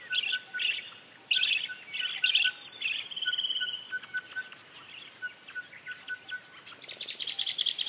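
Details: A Snowy-bellied hummingbird (Saucerottia edward) gives high, dry chips and rapid twittering bursts, with a faint steady whistle-like tone underneath.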